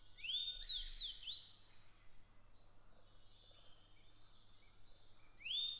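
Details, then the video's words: Grey bunting in Japan singing a short phrase of high, clear whistled notes sweeping down, followed by a pause, with the song starting again at the end. "クロジ Grey bunting"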